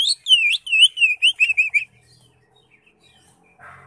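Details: Chattering ngekek song of a greater green leafbird: eight bright, wavering whistled notes in under two seconds, each slurring down, growing shorter and faster, followed by near silence and a brief rustle.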